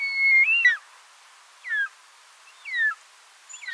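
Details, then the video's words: Short-toed Snake Eagle calling: a long clear whistled note that bends upward, then slurs down, followed by shorter downslurred whistles repeated about once a second against a quiet background. "Biancone - Circaetus Gallicus"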